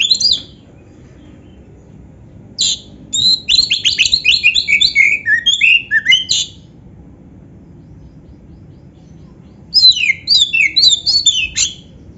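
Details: Oriental magpie-robin (kacer) delivering a complete isian song mixed with canary phrases: a brief opening note, then a long rapid string of buzzy, falling chirps, a pause, and another fast chattering run.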